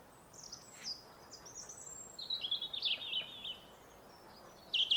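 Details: Song thrush singing on a foggy day near garden feeders: high whistled and scratchy phrases, a burst of twittering notes around the middle, then a sharp phrase at the end over faint steady background noise.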